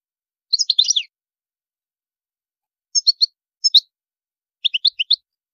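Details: European goldfinch giving short bursts of high twittering notes, a cluster of quick chirps followed by spaced groups of two to four tinkling notes with silent gaps.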